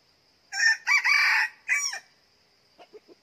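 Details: Red junglefowl rooster gives a short, hoarse crow of three harsh bursts over about one and a half seconds, followed by a few faint clucks; a new trial decoy bird used in junglefowl trapping.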